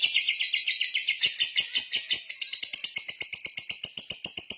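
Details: Lovebird giving a rapid series of sharp, high chirps, roughly two per second and quickening toward the end, each note layered and buzzy in a steady chattering run, indoors with no other clear sounds.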